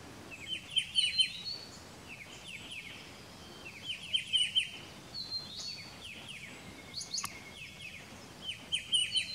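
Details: Striated bulbul (Pycnonotus striatus) at Pelling, Sikkim, India, May 2018: bright, chirpy bursts of quick descending notes about every four seconds, with scattered softer chirps between and a faint steady hiss behind.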